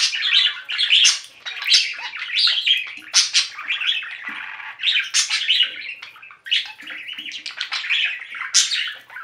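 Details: A yellow-green pet budgerigar, alone, chatters nonstop in a bright, scratchy warble of chirps, clicks and squeaky notes.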